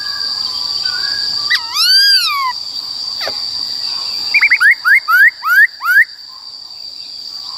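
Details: ['Black-throated laughingthrush in forest-voice song, used to train young and newly caught birds: a soft whistle, a wavering downward-curving phrase, then five quick rising whistled notes in a row, with a steady faint hum.']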